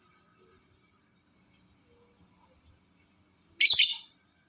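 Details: Lovebird giving a call meant to provoke other lovebirds into calling: after near silence and a faint thin tone early on, one short, harsh, shrill chirping burst comes near the end.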